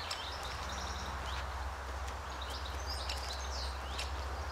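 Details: Young Great Spotted Woodpecker getting fed at its tree-hole nest, RSPB The Lodge, Sandy, May 2011, evening; clusters of thin, high, rapid chattering notes with a few sharp clicks, over constant low background hum.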